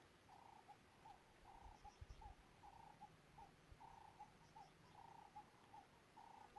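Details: Doves coo in the background while giraffes browse nearby, soft low notes in steady runs about once a second, over a low rumble and a few dull thumps.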